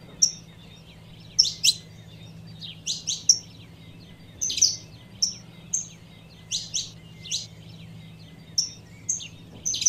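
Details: A female saffron finch calling to stir up males gives sharp, high chips, singly or in quick pairs, at an uneven pace of about one a second over a faint low hum.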